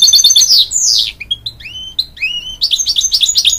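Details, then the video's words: A hybrid goldfinch (canary × goldfinch mule) sings to encourage young chicks: a quick, high twittering song of rapid chirps, slurred rising and falling whistles, then a fast run of bright trills. "A Hybrid Goldfinch Sings To Encourage Young Chicks"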